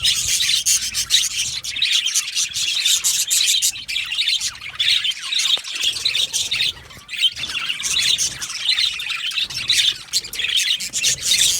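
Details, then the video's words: An aviary colony of Australian budgies produces a steady wall of shrill chirps, squawks and twittering, rising in louder bursts, with a brief quieter dip midway. "Australian Budgie chirping sounds"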